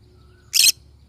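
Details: Pineapple conure giving a single harsh, raspy screech lasting about a fifth of a second, broad and noisy, against a quiet background with a faint low hum.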